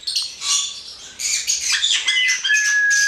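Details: Hand-reared male black-headed caique giving harsh, buzzy, broadband squawks in quick irregular bursts, ending in thin, steady whistled notes, some held for about a second.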